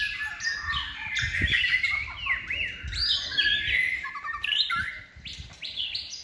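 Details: White-rumped shama kept for singing contests, a third-season bird in full competition song: rich varied whistles, slurred rising notes and rapid trill bursts, over low background rumble and occasional thuds.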